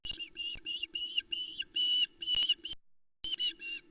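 Osprey begging call: a fast series of shrill, whistled notes, about four a second, then a brief pause before more, over a faint low hum.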